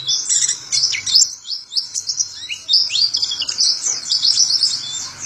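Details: Pet white-eye (Zosterops) from Indonesia, a songbird kept for its skill at copying others, pours out bright, fast twittering with sliding downward notes and short pauses, over a quiet low drone.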